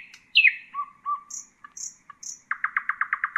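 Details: Nightingale song used to teach young birds: a loud falling slur, soft low whistles and thin high notes, then a steady run of about ten sharp repeated chopping notes.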